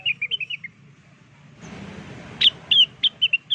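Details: Lure call of the blue-winged leafbird: a handful of quick whistled notes, a noisy pause, then louder, sharper whistles spaced about a quarter second apart.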